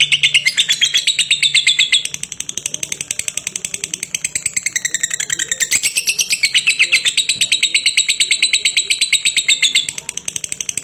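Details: Lovebird delivering a drawn-out ngekek, a continuous rapid chatter of clipped, high pulses with brief dips and surges in pitch and loudness, running for nearly eleven seconds without pause.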